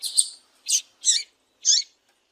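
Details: Calling female coleiro (double-collared seedeater), a call meant to stir males to sing: four short, high, scratchy chirps, the first doubled, spaced about half a second apart in a quiet background.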